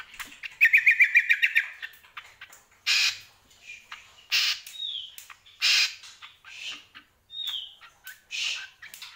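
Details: Greater green leafbird singing actively: opens with a rapid trill of repeated sharp notes, then loud harsh squawks alternate with short downward whistles.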